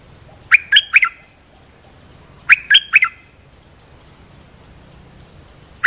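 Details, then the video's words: Lure call of an olive-winged bulbul, used for tutoring young birds and attracting wild birds: a short burst of three liquid, chattering notes, repeated after about two seconds of silence, then the start of another. "เสียงนกดอกแตงEp.248 เปิดหัดลูกเสอ ลูกใบ้ เสียงเรียกนกป่า Suara pikat merbah lekir gacor"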